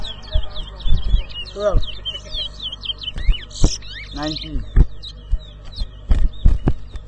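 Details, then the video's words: Towa towa, or large-billed seed finch, competing at a 2022 bird whistling contest in Rosehall Town, Guyana; quick run of high chirped whistles and trills over voices of the crowd and occasional thumps. "TOWA TOWA BIRD WHISTLING COMPETITION AT ROSEHALL TOWN"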